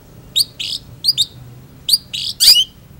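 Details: Long-tailed shrike in lively song: bright, high, clipped notes in small clusters, some scratchy, ending in a loud harsh burst with a brief whistled tail, against a soft low background hum.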